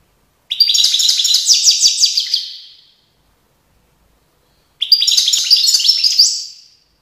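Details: Goldfinch singing in Tiaret in 2019: two fast, liquid twittering phrases of about two seconds each, full of bright high chirps and trills, with a pause of nearly two seconds between them.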